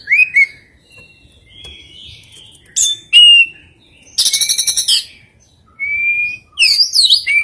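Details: Unusual oriental magpie-robin song with rare fill-in material. Varied whistled notes alternate with harsh, rapidly pulsed buzzy bursts and sliding, slurred whistles, separated by brief quiet gaps.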